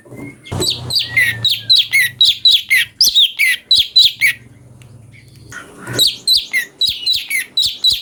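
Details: Cucak cungko song variations for training magpie-robins: rapid, regular chirping at about four notes a second, loud and bright, pausing for a moment of low hum before another fast run.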